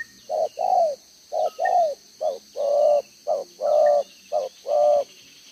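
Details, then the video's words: Spotted dove used as a lure bird, two rows of collar spots, recorded 11 June 2023. Cooing in 'đồng gáy 1 hậu' style: a short coo followed by a longer, fuller one, repeated in even pairs. Faint high chirps sound behind. "ĐỒNG gáy 1 Hậu"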